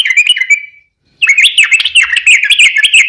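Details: Sooty-headed bulbul singing a fast 'ropel panjang' roll, a lure for other bulbuls to answer; a short bubbling phrase, brief silence, then an unbroken stream of quick, slurred, up-and-down warbled notes.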